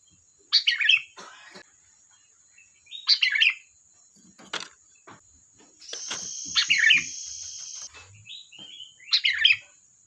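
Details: Sooty-headed bulbul singing: four bubbly liquid phrases roughly every two to three seconds among scattered clicks, with a brief loud high hiss in the middle and a faint steady whine.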